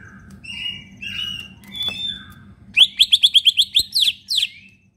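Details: Caged green leafbird, kept by bird hobbyists, in full lively song used to prompt other leafbirds into singing: soft warbled whistles, then a fast run of loud sharp repeated notes, about eight in quick succession, over a low indoor hum.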